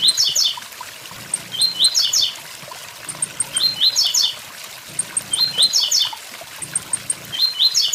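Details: "Tui tui zel zel" song of a blue-black grassquit with waterfall sound: about five bright, buzzy bursts of quick rising notes, separated by pauses and preceded by thin high ticks, against continuous water noise.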